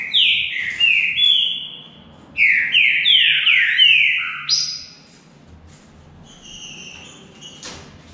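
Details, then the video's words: Singing contest of green-winged saltators: two rapid bursts of rich, descending whistled notes, five or six per burst, then a pause with softer distant notes and a brief click. "DISPUTA DE CANTO"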